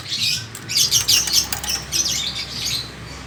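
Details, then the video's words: Chattering lory, known locally as nuri kepala merah, kept by a bird hobby and breeding keeper; it gives a run of harsh, raspy screeching bursts, about eight in quick succession, with faint clicks and low background hum. "Lorius garrulus atau burung nuri kepala merah"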